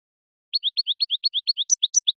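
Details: European goldfinch male song meant to excite the female for mating: a neat alternating series of paired high chirps, about ten quick notes in under two seconds, ending with two sharper higher notes, no other sounds.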